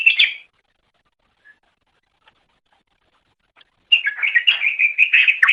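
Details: Song of a greater green leafbird, recorded to train caged songbirds: a short warbled burst, several seconds of near silence, then a fast, continuous stream of chattering, trilled notes.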